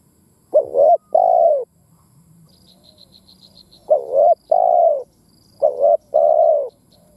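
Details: Spotted dove decoy giving 'thúc gù gáy' calls to stimulate rival doves: three phrases of a short wavering coo joined to a longer steady one, with a faint series of high ticking chirps in the background.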